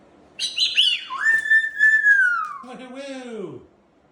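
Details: Pet sulphur-crested cockatoo calling indoors during blow-drying with its owner: a harsh rising squawk leading into a long sliding whistle that falls away into a lower descending tone, about three seconds in all.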